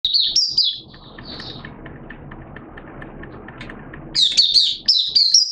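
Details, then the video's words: Malaysian white-eye, a kept hobby bird, recorded on Sunday 21 June 2023 in open 'buka' singing. High thin warbled phrases open the recording, then a low rumbling background takes over. Bright twittering bursts return near the end. "Malaysian Mata Puteh Buka Sing"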